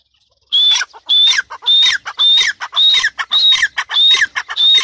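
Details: Female grey francolin calling: a loud, harsh, ringing phrase repeated about every half second, each with a high clear whistled note and rattling bursts, steady and rhythmic throughout.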